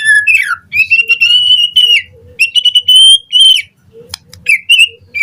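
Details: Murai batu, the white-rumped shama, with morning lure song: long clear sustained whistles, slightly wavering, separated by short gaps, with a faint low background hum and a closing upswept whistle.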